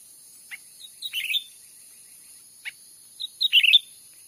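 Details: Lure call of a grey-bellied bulbul from a Sumatran forest, used to attract wild birds: two bouts of clear, slurred whistled chirps about two seconds apart, with single short notes between them and a constant high background hiss.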